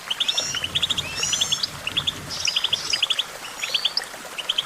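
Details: Goldfinch singing for song training, with quick chirps in tight clusters of two to four, repeated every half second or so, mixed with longer twittering buzzy phrases and a faint low rumble.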